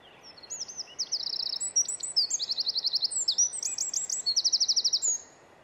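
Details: Winter wren (Troglodytes troglodytes) in Estonia singing a vigorous, very high song of about five seconds, alternating sharp whistled notes with rapid rattling trills, ending abruptly.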